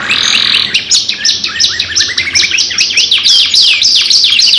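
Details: Long, energetic lure song from two canaries, opening with a buzzy high note, then a run of sharp, steeply falling chips and twittering slurs, closely spaced.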